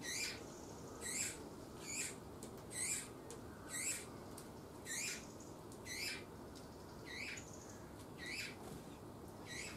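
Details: Eurasian bullfinch giving short, harsh, scratchy calls, repeated roughly once a second, over a steady low background hum, recorded at feeding on 7 June 2020.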